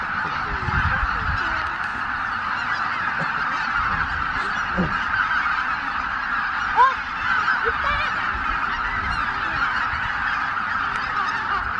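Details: Greater white-fronted geese, over 83,000 strong, leaving the roost at dawn at Miyajima-numa on 23 April 2017 in dull weather: a long, steady roar of countless honks, with one brief louder thump midway.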